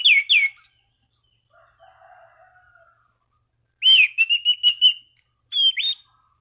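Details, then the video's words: Orange-banded thrush singing to challenge rivals and stimulate other thrushes, with two sharp downward whistles, a soft low hum, then a rapid series of clipped whistled notes followed by high thin slurs and a falling whistle. "Anis Cendana Gacor MEMANGGIL LAWAN Pancingan burung anis lain agar berkicau"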